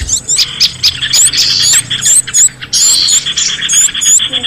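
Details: Chattering small birds, played as a lure for runaway pet birds: bursts of shrill chirps and squeaky rising whistles come in uneven clusters, separated by short pauses.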